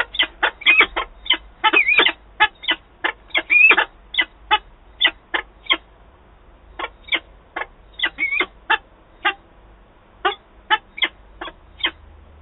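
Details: Peregrine falcon at the nest in Wałbrzych on 8 August 2022, during a meeting between birds: loud, harsh, clipped calls repeated in rapid bursts, some notes with a rising-falling inflection, over a faint low rumble.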